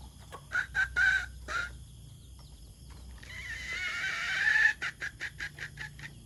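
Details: White decoy junglefowl cock gives several short, rough clucks, then a long strained crow lasting nearly two seconds that grows louder toward its end, then a quick burst of staccato clucks.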